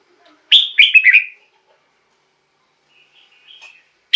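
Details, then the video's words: Song of a red-whiskered bulbul, used to lure or excite caged birds: one lively phrase of three or four quick slurred whistles, then faint soft notes and the start of another phrase. "เสียงนกกรงหัวจุก สำหรับต่อ หรือ เปิดให้นกคึก เสียงเพราะๆ"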